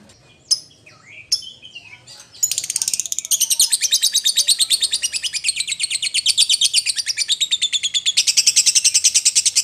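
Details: Lovebird calling its companion as a lure: a couple of sharp squeaks and a short whistle, then a long, rapid, buzzy chatter of rhythmic notes rolling on for seven seconds.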